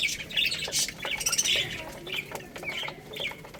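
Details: Baby chickens eating rice give high, thin chirps in quick, uneven bursts, mixed with dense scratchy clicks and rustling from feeding.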